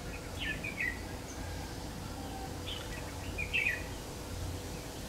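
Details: Red-whiskered bulbul of the Má Lỡ type during trapping, 3 September 2019. Two bursts of quick, bubbly warbled notes, the second louder and brighter, with a faint rural hum underneath.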